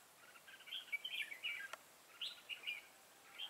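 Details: A decoy red-whiskered bulbul fight-sings during trapping on 25 September 2018 to lure wild bulbuls. Two bright bursts of liquid, warbled phrases slur up and down, with a short pause between them.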